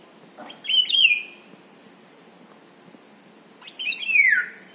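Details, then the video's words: An Indian golden oriole gives two harsh, nasal calls about three seconds apart, each slurring downward from a high start, against a quiet background. "indian golden oriole bird(haldi basanta bird)"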